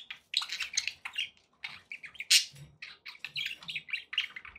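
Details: Pet budgerigars chattering in a steady stream of short, bright chirps and squawks, busy high-pitched warbling with brief pauses between bursts.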